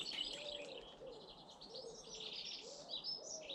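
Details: British garden birds: bright, high chirps and short twittering phrases repeat throughout, while a lower, soft cooing phrase recurs about every second underneath.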